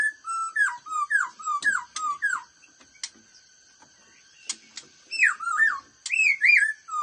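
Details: A black-throated (silver-cheeked, khướu bạc má) laughingthrush with a fast-paced singing voice gives loud, rich whistled phrases that swoop and slur, in quick bursts with brief pauses, over faint high steady tones and soft clicks.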